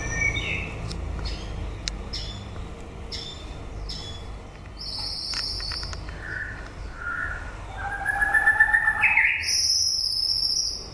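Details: White-rumped shama song late in the breeding season, mixing sharp clicking notes, high buzzy bursts and rich whistled phrases that swell louder near the end, over constant low hum.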